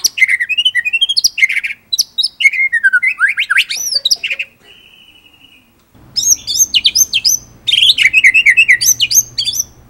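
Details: Energetic white-rumped shama song in the ngerol nembak style. It moves through fast descending and rising whistles and rolling trills, then a short soft tone and a near-silent pause before dense high chattering resumes.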